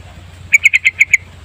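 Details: Yellow-vented bulbul lure song, full and long: a quick burst of six short, bright chirped notes at an even pace, each clipped and ringing, over a steady low hum.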